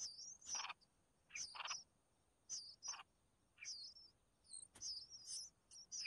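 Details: Red-whiskered bulbul mother bringing food to her chicks: sharp high whistled chirps come in irregular bursts about once a second, some paired with harsh raspy buzzes.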